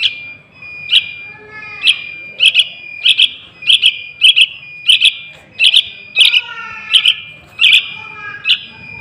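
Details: Juvenile sooty-headed bulbul calling as a lure for wild birds: a long series of sharp high chirps, mostly paired, spaced about half a second apart, with a constant thin high tone beneath.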